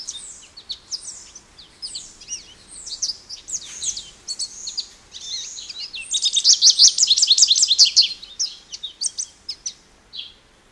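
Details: Extended American goldfinch song of high sweet twittering phrases, peaking in a fast buzzy series of repeated notes before a final chirp.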